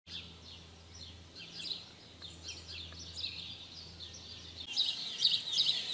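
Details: House sparrows during mating in 2020: short, high chirps repeated irregularly over a steady low hum, getting louder and denser in the final second.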